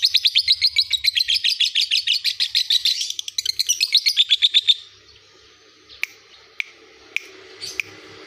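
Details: Lovebird song recorded as a master track for training other birds: a rapid run of high chattering chirps, about four per second, lasting nearly five seconds, then a few isolated sharp clicks over a quiet background.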